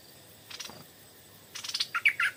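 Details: Stripe-throated bulbul answering a decoy in the evening: faint scratchy notes, then a louder rasping burst leading into several rich, bubbly notes at the end.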